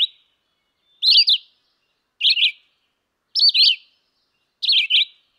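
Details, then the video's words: Red-eyed vireo (Vireo olivaceus) singing short, burry, whistled phrases, each varying slightly in shape, repeated about every second with brief pauses between. "Singing Red-eyed vireo"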